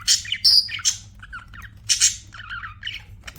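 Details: Budgies give quick chirps and squeaky, scratchy notes in two bursts, separated by softer warbling phrases, with a steady low hum beneath.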